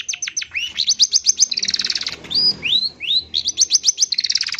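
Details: Pentet (long-tailed shrike) lure for prompting caged birds to sing fast: rapid rattling series of high clicks and buzzy notes, broken midway by three rising whistled slurs, then a second fast rattle. No other sounds.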